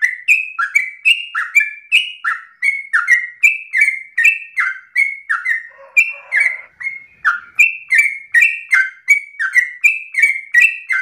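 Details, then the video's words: Sooty-headed bulbul in nonstop 'ropel' style song, used as a lure and tutor for other birds: bright, bubbly two-note phrases, a high note falling to a lower one, repeated about three times a second with a brief soft rustle near six seconds. "Trucukan gacor narung ropel ngotot paling Bagus untuk pancingan masteran"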